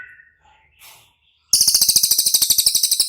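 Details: Cililin used as training material for caged songbirds: after a soft, brief whistle, a loud, shrill trill of fast clicking pulses runs steadily for well over a second.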